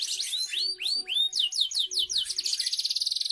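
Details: Canary singing, played to lure young canaries into song: clear upswept whistled notes give way to a fast series of down-slurred notes, ending in an even, rapid rolling trill over a faint low hum.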